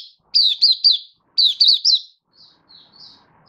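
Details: Oriental white-eye kept as a hobby songbird, happily in open song on 24 February 2023: two quick groups of three high, bright, slurred chirps, then faint, soft high notes trailing off.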